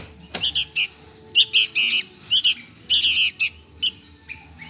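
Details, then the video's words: Sooty-headed bulbul chick begging for food gives scratchy, high squawks in irregular groups, a sharp click early, quieter calls trailing off at the end. "MINTA MAKAN ANAK BURUNG KUTILANG"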